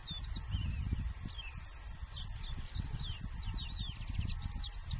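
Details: Red-throated pipit at Mereto di Tomba, Udine, Italy, on 27 April 2014, giving a steady run of thin, high, sharp notes, some slurred and some buzzy, over a strong low wind-like rumble.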